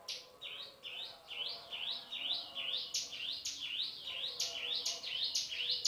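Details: Male hill prinia (cigun, prenjak gunung) singing in the 'nembak' (shooting) style with 'isian cisem' fill. It gives a fast run of high, rising, slurred chirps, about two per second, steady and insistent, with a few sharper accented notes.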